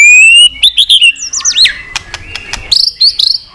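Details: White-rumped shama singing a long song to spur fighting, tail snapping included. A sustained high whistle leads into quick, swooping slurred notes, sharp clicks, and bright, chirpy flourishes at the close.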